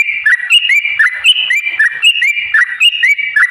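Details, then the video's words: Rapid song of a sooty-headed bulbul, the long 'ropel' style played to stimulate caged birds: quick upslurred whistled notes tumble in a steady stream of chirpy phrases. "trucukan gacor TARUNG ROPEL PANJANG pancingan trucukan agar bunyi jadikan burung trucuk gacor EMOSI"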